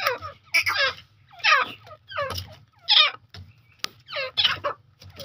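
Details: Wild Grey francolin, locally Jangli Teetar, giving loud, coarse, grating call notes in a series of about seven bursts roughly every 0.7 seconds, with a faint low hum and a sharp click near the end.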